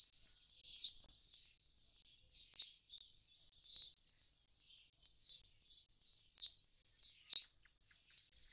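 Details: A common starling near its vacated nest box after its young have flown, giving a busy medley of high chirps, squeaks and clicks.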